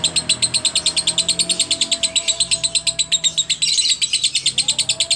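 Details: Lovebird giving a long ngekek chatter in the wobbling-head style while biting the cage bars, a champion of contests: a fast, even stream of harsh high chips, roughly six per second without a break, over a steady low hum.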